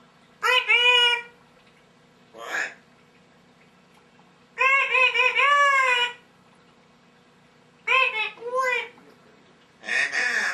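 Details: African grey parrot chattering indoors; several bursts of whistled, harmonic calls with bending pitch, each lasting about half a second to a second and a half, mixed with short noisy squawks and quiet pauses between.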